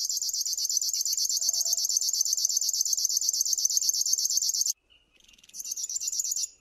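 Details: Rhythmic scratchy trill of a River warbler that pulses steadily for nearly five seconds, then stops and picks up again in a quieter, broken burst.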